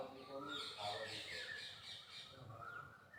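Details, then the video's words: A peacock (Indian peafowl) gives harsh, nasal squawking calls with a broad, ringing tone, repeated quickly. Human voices can be heard underneath. "Peacock sounds"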